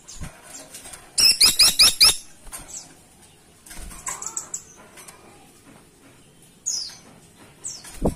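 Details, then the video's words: A woodpecker (Indonesian caladi tikotok) calls vigorously, used as a lure sound: a quick burst of sharp, high chattering notes, about six in a second, then scattered shorter squeaky calls in a quiet background. "Burung Platuk Caladi Gacor Ngeplong"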